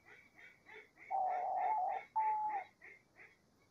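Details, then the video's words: Diamond dove in nature: two long, smooth, mid-pitched coos stand out over a steady series of higher, repeated chirps from other birds in the background. "ROLINHA DIAMANTE CANTANDO MUITO - CANTO DA ROLINHA DIAMANTE NA NATUREZA"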